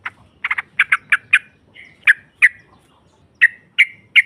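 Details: Female sooty-headed bulbul, ngropel chatter used to provoke rival birds: harsh, squawky notes, first in a quick cluster, then spaced singly about every half second over a faint low background rumble.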